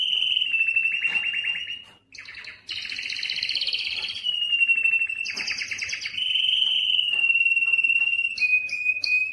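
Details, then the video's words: Belgian canary singing to stimulate females for breeding: long rolling trills and buzzy tours around a high steady pitch, switching between fast rattles, sustained whistled notes and brief chirps, with a short pause near the second second. "تغريد كناري للتسميع و تحفيز الانات للتزاوج 24- Canário cantando para atrair fêmeas para a reprodução"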